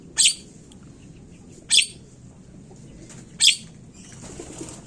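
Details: Javan myna calls played as a lure to get birds singing quickly: three rasping, broadband screeches evenly spaced about every 1.7 seconds, followed by a soft rustling noise, over a steady low hum.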